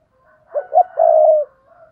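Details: Single coo from a spotted dove used to entice wild doves, in the "thúc bổi" style. Two quick husky notes rise into a long, even, low hoot lasting about half a second, with a faint note trailing after.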